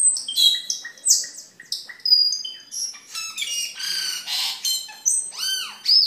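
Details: Cucak keling, a caged bird, in lively song used as a master recording for training other caged birds and for luring birds: varied harsh squawks, sharp chirps and clear whistled notes, some arching downslurred whistles near the end, delivered in rapid, uneven bursts.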